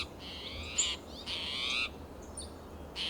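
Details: Alarm calls of an agitated spotted towhee in a coast live oak and Monterey pine stand, Del Monte Forest, California, in June: three drawn-out, harsh, buzzy notes, the middle one longest, with a faint thin high note between.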